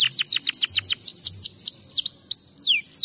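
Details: Canary song used to stimulate other canaries to sing: rapid series of high, sweeping whistled notes, many falling sharply, repeated several times a second, with a few longer rising and falling slurs near the end.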